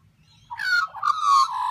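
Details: A wild butcherbird singing in the morning at Byron Bay, Australia. Two rich, mellow tonal notes: a short first one, then a longer held note that falls slightly at the end.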